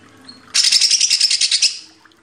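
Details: Greater green leafbird master song for training cage birds: a single dense burst of rapid, buzzy high trills lasting about a second, then fading.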